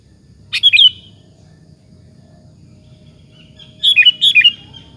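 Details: Sooty-headed bulbul singing as a lure to provoke other bulbuls into answering: two short bursts of bubbly, warbling notes about three seconds apart, each a quick run of three or four slurred whistles, over faint low hum.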